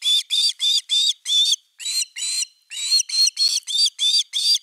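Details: Osprey at its nest on 30 August 2021, evening fish time: rapid whistled notes, about three per second, in bursts separated by short gaps. The notes are high and harmonic-rich, with no other sounds.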